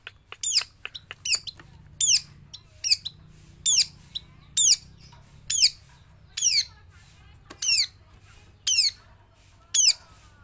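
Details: Trained long-tailed shrike of Java singing non-stop inside and outside its cage: a quick burst of clicks, then loud, clear, down-slurred whistled notes repeated roughly once a second, over a faint background hum.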